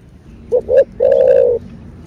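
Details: One spotted dove phrase, thổ bầu style, played to rouse caged cu gáy: a clipped note, a slightly rising second note, then a long, level coo of about half a second, over quiet low rumble.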